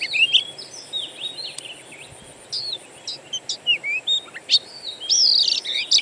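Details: Wild Oriental magpie-robin (kacer) singing, used to coax kept birds to sing: spaced high whistles and sharp ticks, then a louder closing burst of rich warbled notes.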